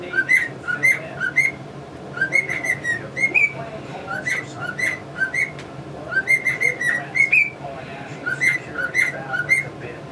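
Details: Tune-whistling male cockatiel at home beside a pair of English budgies; two long melodic passages of clear tooting whistles separated by a short pause, budgie twitter audible throughout.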